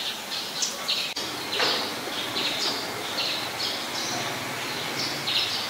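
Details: Eurasian tree sparrow, a very common resident, recorded at Ubon Ratchathani, Thailand, on 10 May 2020: short, bright chirps repeated irregularly throughout, with a low background rumble and one sharp click early on.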